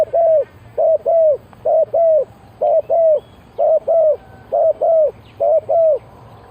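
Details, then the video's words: Decoy spotted dove cooing to draw in wild birds: a steady run of eight two-note phrases, a brief coo then a drawn-out descending coo, repeated roughly every eight-tenths of a second over a quiet background. "Chim cu gáy chiêu kích mồi tập bổi nhanh nổi hiệu quả"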